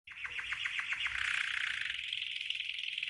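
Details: Green canary in a training song: a series of quick descending chip notes running into a dense, rapid buzzing trill that holds steady to the end.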